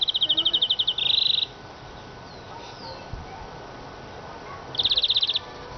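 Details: Siskin song with a fast ticking trill flowing into a harsher buzz, then a quiet gap and another rapid high trill near the end.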